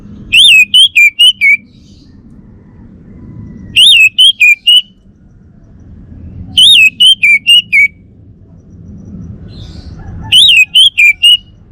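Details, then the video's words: Singing male orange-headed thrush from Bali, kept at home in Singaraja, repeats a fast five-note whistled phrase roughly every three seconds, each phrase starting high and dropping slightly. "Kicau Burung ANIS MERAH Bali Jantan"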